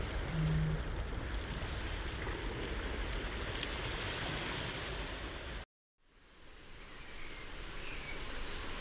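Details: A male Firecrest on a new territory in Gwent, whose own song is unusually cut off, bursts into Goldcrest-like song: a quick series of very high, thin, arching notes, two or three a second, after steady rushing noise.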